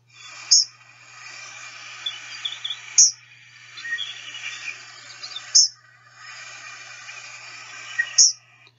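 Eastern Kingbird giving sharp, high squeaky notes about every two and a half seconds, with harsh buzzy chatter between them and a faint low hum underneath.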